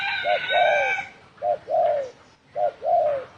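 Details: Spotted dove cooing in the thổ sấm style, used to provoke other birds. Low, hollow coos come in pairs, a brief note then a longer falling one, three pairs in all, with a buzzy harmonic sound overlapping the first pair.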